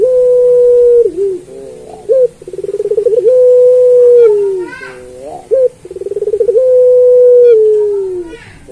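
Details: Training song of a puter pelung turtle dove, meant as a model for other pelung doves. Sustained deep coos slide gently downward, broken by bursts of fast, stuttering trills, in a repeated cycle of trill then long note.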